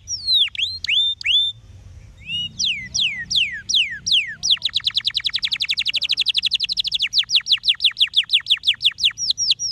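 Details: Canary song: loud whistled downslurred notes sweeping from high to mid pitch, then a rapid even trill of about forty repeated notes lasting over two seconds, followed by more slurred whistles; faint low hum beneath.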